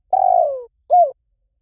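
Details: Spotted dove lure call: a long, slightly pulsing coo drifting downward in pitch, followed after a short gap by a rounded arched coo. The recording is clean.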